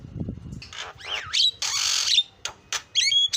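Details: Javan myna with loud, harsh squawks, a wavering slurred whistle and a few sharp high notes, after a brief low rumbling noise at the start.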